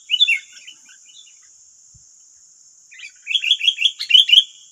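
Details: Sooty-headed bulbuls in West Lampung, Indonesia, nine wild birds against a single decoy: a brief chirpy phrase, a pause, then a fast series of about six bouncy whistled notes, above a continuous high-pitched hum.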